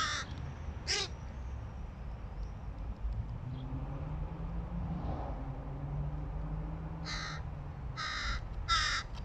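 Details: Hooded crow fledgling trying to feed itself gives two rasping caws, falls quiet amid a low droning hum, then ends with three loud, broad, grating caws in quick succession.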